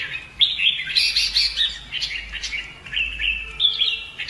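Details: Red-whiskered bulbul fighting song for training: a continuous run of warbled, slightly harsh whistles with bright high overtones and a faint low background hum.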